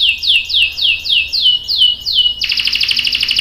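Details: Canary, a female luring a male into song: eight clear descending whistled chirps, roughly three per second, then a sudden dense buzzy trill.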